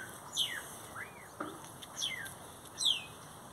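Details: Great-tailed grackles calling by a Brugmansia tree, a series of high downward-sweeping whistles with an arched rising slur, spaced roughly half a second apart, plus faint clicks.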